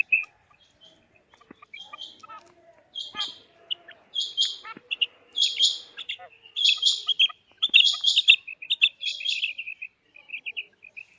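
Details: Female quail voice, with scattered thin notes, then loud, harsh, buzzy double and triple bursts about every second, trailing into soft rapid whistled notes.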